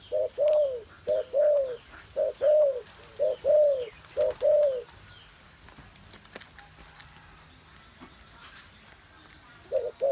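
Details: Spotted dove cooing, recorded on 21 August 2021: six low, hooting coos in about five seconds, close together and evenly spaced. A quiet gap with faint background sounds follows, and a fresh coo begins at the very end.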